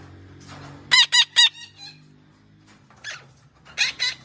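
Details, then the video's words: A green parrot talking gives three quick, raspy, nasal notes, two fainter ones, then after a pause more harsh syllables in a short pair, over a low hum. "Green parrot talking sounds"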